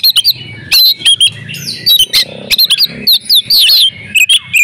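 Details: Female oriental magpie-robin in breeding condition, calling to stir silent males into song: bright whistled notes and sharp chirps high in pitch, in quick bursts separated by short pauses, with a faint low hum underneath.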